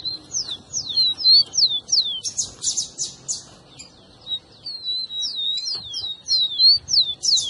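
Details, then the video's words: Rufous-collared sparrow song meant to excite a pet bird: quick high whistled down-slurs repeated about three per second, broken by a burst of buzzy notes and a brief pause, then more fast slurred whistles. "seu tico tico vai ficar doido com esse áudio"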